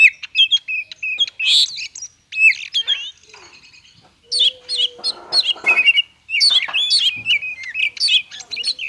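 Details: White-rumped shama, a captive bird, singing rapid broken phrases meant to prompt sluggish shamas to sing: chattering chirps and buzzy notes, a short quiet pause near the middle, then renewed bursts of warbled whistles.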